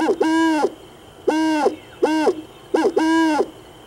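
An owl gives four rich, hollow hoots, each about half a second long and some led by a quick grace note, spaced under a second apart over quiet background.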